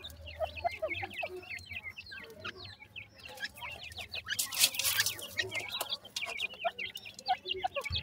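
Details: Many grey francolin chicks feeding, producing a busy chorus of thin, rising chirps throughout, with a brief rustling, hissy burst midway.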